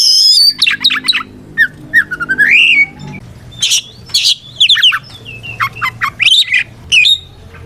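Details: Caged white-rumped shama (kacer) singing a loud fighting song meant to provoke rival shamas into answering: varied whistles, sharp chirps and rising slurred notes in rapid bursts separated by short pauses, with a low hum in the background.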